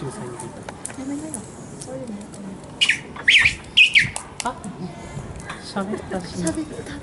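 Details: A 110-day-old King penguin chick, recorded on 17 November 2018, gives a short run of shrill, squeaky whistled calls of about a second, rising and falling, over quiet background human voices.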